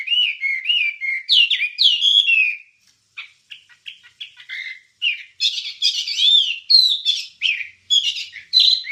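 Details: Wambie song for training songbirds: warbled whistles first, then a pause with scattered soft chips, followed by loud, bright, rapid twittering phrases.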